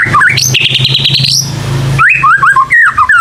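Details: White-rumped shama song played as a lure for young birds: a whistled note climbing into a long high sustained tone over rapid ticking, a short pause, then quick looping whistled phrases rising and falling.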